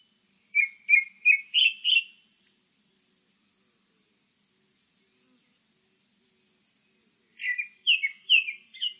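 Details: Grey-backed thrush song in two phrases: five quick whistled notes rising in pitch and ending in a high squeak, a silence of about five seconds, then four more repeated whistles.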